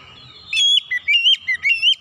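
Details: Oriental magpie-robin, still untrained, delivering a loud, clear song: a steady series of five sweet whistled notes, alternating low and high, over a faint hum.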